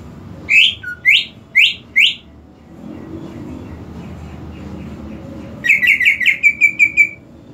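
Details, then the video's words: Greater green leafbird song played as a lure to prompt a silent leafbird to sing: four loud rising whistled upsweeps about half a second apart, a pause, then a quick run of seven short bright repeated notes. "PANCINGAN UNTUK CUCAK IJO TAK KUNJUNG BERKICAU"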